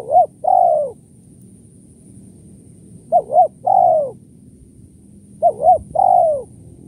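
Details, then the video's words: Spotted dove repeating its kuk 1-2 lure call three times, about every two and a half seconds: each phrase two quick short coos then a longer, downward-curving coo. "suara tekukur kuk 1-2 // pikat tekukur"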